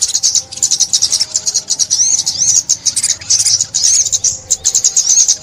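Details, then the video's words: Almost continuous thin, buzzy sunbird song recorded in 2021 for trapping: fast repeated high chips running into trills, with a few rising and falling whistled slurs. "Tiếng Chim Ốc Mít"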